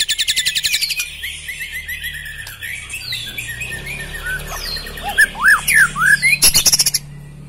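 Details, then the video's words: A black-legged white-rumped shama opens with a fast run of repeated notes, then gives softer scattered whistles, and ends with loud slurred, swooping phrases over a faint low hum. "Ciri khas gaya dan Suara murai Batu kaki hitam istimewa"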